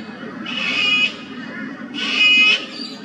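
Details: Sulphur-crested cockatoo, a native Australian bird, visiting an old dead tree to feed on honey: two loud, harsh, raspy screeches, each about half a second long and spaced about a second and a half apart.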